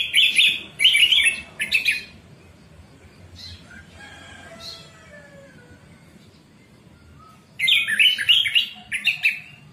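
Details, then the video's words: Caged orange-headed thrush song, played to train captive birds to sing in the morning: bursts of fast, dense, scratchy warbling at the start and end, with soft distant whistles and a low rumble between. "terapi Anis merah ngeplong pagi pancingan anis merah macet bunyi masteran anis merah cepat bunyi"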